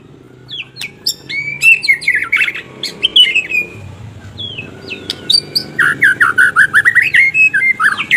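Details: White-rumped shama delivering scattered whistled and chattering notes over a noisy low background, starting sparse and becoming a rapid, evenly pulsed series of sharp notes near the end.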